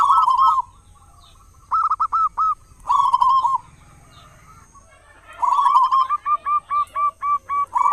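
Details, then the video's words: Local zebra dove with a strong voice, used as a lure to set other doves singing: short trilled coo phrases separated by pauses, ending in a long even sequence of about eight staccato cooing notes, a thin high whine behind. "perkutut lokal gacor suara besar buat pancingan diPAGI dan sore"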